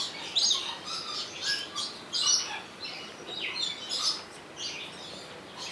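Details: At Opole Zoo a rainbow lorikeet, recorded on a Sony HDR-XR160E, gives a run of short, scratchy, high screeches, roughly every second or so, uneven and overlapping in places.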